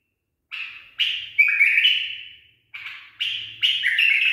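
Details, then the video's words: A tame, song-trained bulbul pours out clear whistled notes, some rising and some falling, in two bursts separated by a brief silence. The bursts are rich and slightly buzzy at the edges, with nothing else audible. "أحلى برواز من زلزال 😍 بلبل أليف تخريج صحيح"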